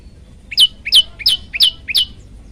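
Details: Olive-backed tailorbird song used as a training master for other birds: five sharp, ringing chip notes about a third of a second apart, each a short lower lead-in jumping to a bright high note, over faint background hiss.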